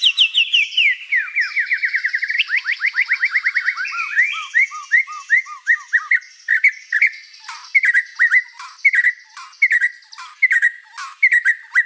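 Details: White-rumped shama, gacor with many fill-ins, opening with a fast run of descending whistled notes, then sustained buzzing under steady repeated chirps around two per second.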